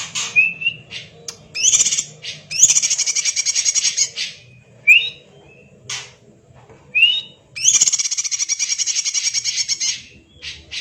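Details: Greater green leafbird, a champion tutor bird, singing actively in a dense kacer-like style: whistled upslurs alternate with long buzzy, rapidly pulsed rattling phrases, in bursts separated by short pauses.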